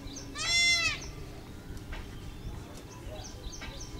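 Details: A peacock dancing in Sanskruti Township, Hyderabad, recorded 19 May 2010 at 6:40 am, gives one loud, nasal, wailing cry lasting about half a second, followed by faint chirps of small birds in the background.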